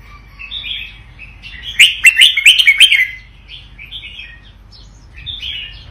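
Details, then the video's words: Vietnamese-type red-whiskered bulbul gives a loud, lively burst of bright chirping notes in quick succession, framed by softer, warbled phrases before and after. "นกกรงหัวจุกเวียดนาม ร้องเบิ้ล!! ร้องมัน"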